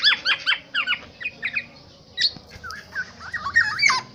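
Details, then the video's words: Black-naped oriole from Aceh singing: clear whistled downslurred notes in quick pairs and triplets, pausing briefly, then softer fluty phrases with higher sharp accents toward the end, over faint low background hum. "Burung Kepodang Asli Aceh"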